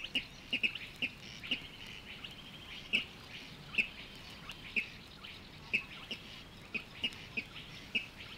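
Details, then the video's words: Water Rail calling from Matsalu reed beds: short, sharp, high notes given irregularly, sometimes in quick pairs, with pauses of up to a second between them. A quiet marsh background lies underneath. "Water Rail"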